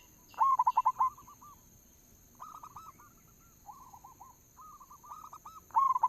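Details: A local zebra dove sings a lure phrase: a loud rapid run of staccato coos opens and closes the stretch. Several quieter doves fill the gap with shorter, rolling coo phrases.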